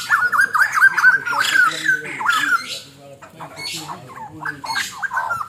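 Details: White-crested laughingthrush in a training recording of its song: a loud run of rapid, harmonic chuckling notes that rise and fall, with brief harsher bursts mixed in.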